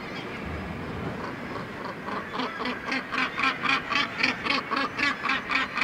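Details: Northern gannet colony on the steep Syltefjordstauran cliff face, Varanger, Norway; a steady, even series of harsh rasping barks, about four per second, growing louder, with a murmuring chorus of other gannets behind.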